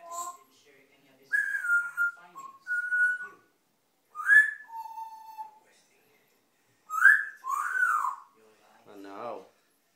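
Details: Three-year-old African grey parrot kept as a pet, talking with its owner indoors: short whistled and word-like phrases, some rising and falling, separated by pauses, with a woman's voice coaxing and asking questions nearby.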